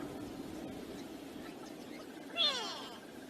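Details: African harrier-hawk close to the camera at Gowrie dam waterhole, Djuma Game Reserve, Sabi Sand Wildtuin, South Africa, on a windy afternoon, 20 July 2025; one loud, harmonic, falling whistle late in the clip over a steady low wind rumble.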